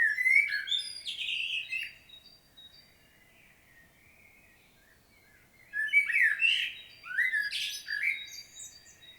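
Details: Common blackbird song recorded on 25 September 2022 in Świnoujście, Poland: a mellow warble with squeaky ending, a quiet gap of several seconds, then a longer run of fluted and twittering notes.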